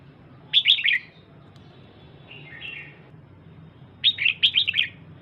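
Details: Red-whiskered bulbul female, calling to excite the male, gives a rapid cluster of sharp chirps, then a soft distant warble, then a longer run of tumbling bright notes, against a low background hum.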